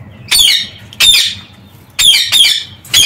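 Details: Rapid series of loud, grating parakeet screeches from birds in an aviary, about five rough bursts in three seconds, each harsh and buzzy.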